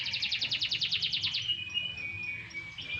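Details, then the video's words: Canary sunbathing briefly, singing a fast rhythmic trill of high pulses for about a second and a half, then sustained whistled tones, over a soft low hum. "burung kenari jemur tipis tipis"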